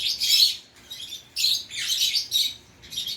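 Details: Indian ringneck parakeet kept as a pet making short hissing, raspy chatter bursts, several in a row with brief gaps.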